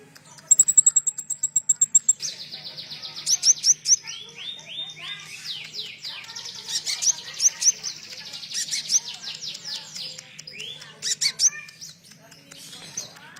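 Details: Sunbird song for provoking caged birds into singing, with cililin phrases blended in: opens with a fast, even, very high buzzy trill, then a stream of shrill chirps and quick descending sweeps in loose bursts.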